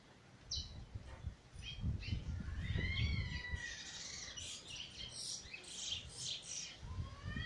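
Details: Eurasian bullfinch singing soon after coming out of molt, recorded 1 January 2022: soft flute-like whistles that rise and fall, followed by a run of higher, quick chirpy notes over a low background rumble.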